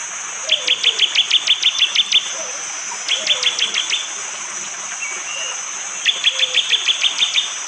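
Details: Morning forest near Wonocoyo Village, East Java, Indonesia, with rain water falling: a bar-winged prinia repeats hard, sharp 'tembakan' bursts, three fast runs of six to ten clipped high chips separated by short pauses, caught on a phone.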